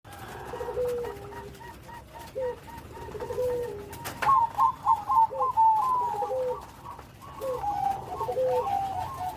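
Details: Bangkok-type zebra dove in full song with a big voice and complete rhythm: lower soft coos at first, then a burst of rapid, bubbly, trilled cooing notes midway, faint room hum beneath.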